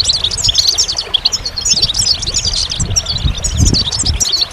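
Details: Goldfinch pouring out a dense, high twittering song of quick chirps and short trills without pause, with faint low-pitched background noise.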